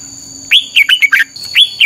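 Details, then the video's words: Red-whiskered bulbul singing to train other birds, a lively phrase of bright slurred whistles followed by the start of another, over a faint low hum and steady high whine. "luyện giọng cho chào mào hót hay - căng lửa, chao mao, chào mào hót hay, chao mao hot che"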